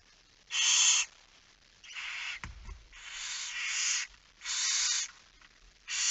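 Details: Nest of barn owls at feeding time, late evening of 10 September 2019: several rough hissing bursts, some run together into a longer rasp, with a short dull knock in the middle.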